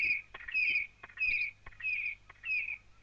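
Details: At dawn over open grassland across a river in the African bushveld, a male Red-crested Korhaan rises steeply skyward above his nesting territory, proclaiming it with sharp beak clacks alternating with clear, high whistled notes, about one every 0.6 seconds.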